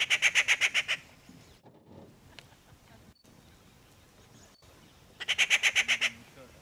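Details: Rufous treepie (Dendrocitta vagabunda behni) in Ranthambore NP, India, November 2023, giving two bursts of harsh, rapid notes, about eight a second, separated by several seconds of near silence.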